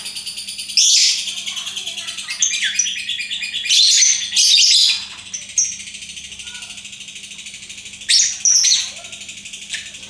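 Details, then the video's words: Lovebird kept as a pet, hoped to start its long ngekek chattering song; bursts of high, shrill, rasping chatter come in several loud spurts separated by quieter buzzing, with a steady low hum behind. "Bagaimana cara agar Love Bird mau Ngekek"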